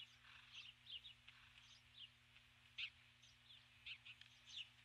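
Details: Osprey female at her nest at dusk calling for her mate, who never arrives; faint, irregular high chirps with a few louder notes, over a steady low hum.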